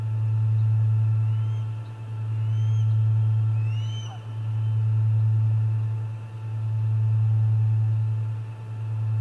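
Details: At the Charlo osprey nest on 29 August 2021, an osprey gives thin rising whistles in short series, some paired, over a constant low droning hum.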